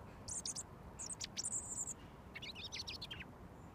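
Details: Close-up robin singing at arm's length while waiting to be fed mealworms, a routine kept for over a year; high, sparkling phrases of quick descending and jumbled notes, two bursts in under four seconds.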